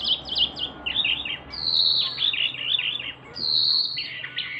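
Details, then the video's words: Mini wambi from Java, a male, delivers a loud high song: fast chirpy notes, a long sustained high whistle, a jumble of descending twittered notes, then another long whistle. "wambi mini gacor ||| sikecil bersuara besar !!!"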